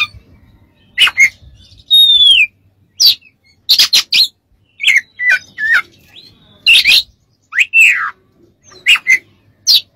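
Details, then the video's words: Oriental magpie-robin song played for training and therapy of kept birds: varied phrases of sharp chirps, buzzy bursts and a long falling whistle, delivered in irregular clusters with brief pauses. "MASTERAN KACER DAN TERAPI"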